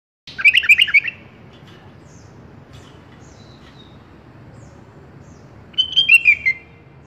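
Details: Sooty-headed bulbul song offered as a tutor recording for pet bulbuls: a quick bubbly phrase of rapid, slightly descending chirpy notes at the start, a long quiet gap with soft background hiss, then a second similar phrase near the end.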